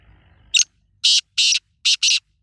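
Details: Black francolin, known as kala teetar: a short harsh note, then four loud, grating, broadband notes in a quick uneven series over about two seconds, on a quiet background.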